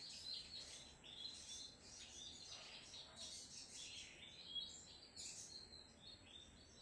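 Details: Crimson sunbird (sogon trotol) in energetic song: dense high tweets and sweeping trills flow almost without a break, with a sharp burst of shrill notes near the end.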